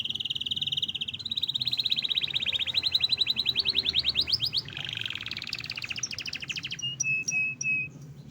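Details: Vigorous caged canary song, a long series of fast rattling trills shifting in pitch, followed by a few short pure whistled notes near the end, with faint low background hum.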